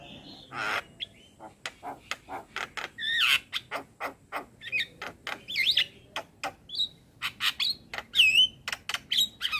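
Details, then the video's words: Male Javan myna, adult, singing as a model for a young bird: dense clicks and sharp ticks interspersed with looping whistled notes and harsh squawks, irregular and busy. "Masteran Burung Jalak Muda Dengan Suara Jalak kebo Jantan Full isian"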